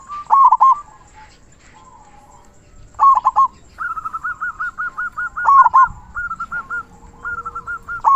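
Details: Zebra dove singing in a big 'kung' voice as a tutor for quiet doves: loud rolling coos roughly every two to three seconds, overlapping long runs of quick repeated coo notes from other doves.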